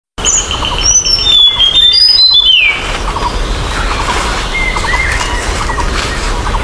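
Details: Blood-breasted Flowerpecker in the wild, giving thin, very high whistled notes, some sliding down, in quick succession over the first few seconds, over a steady background chorus of other birds and insects.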